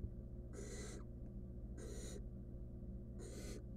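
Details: Harsh, breathy screeches from a wild barn owl nestling attempting to eat a stolen rodent by itself in a camera-watched nest box; three half-second hisses about 1.3 seconds apart over a constant low hum.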